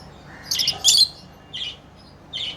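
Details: Pet lovebirds playing, letting out a few harsh, high squawky chirps, the loudest early, then two softer ones spaced apart.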